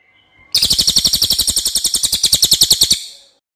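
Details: ['Cililin (racket-tailed treepie) masteran for tutoring other songbirds: one loud burst of fast, evenly repeated harsh ticking notes lasting over two seconds, then silence.']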